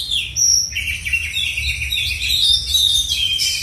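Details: Oriental magpie-robin of the black-and-white type performing at a songbird contest in South Aceh, Indonesia: an unbroken stream of strong, high warbling whistles and quick trills over a steady low hum.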